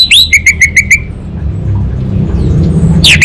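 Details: Orange-headed thrush from North Bali, Indonesia, singing energetically: a swooping whistled note, then a quick, evenly spaced series of short clipped notes, followed by quiet rumble and a final sharp slur.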